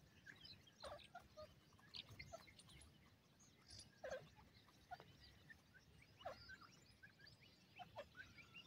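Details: A caged fighting partridge (dakhni teetar) gives loud, sharp, rising calls about every second or two, with faint chirps and a low background rumble.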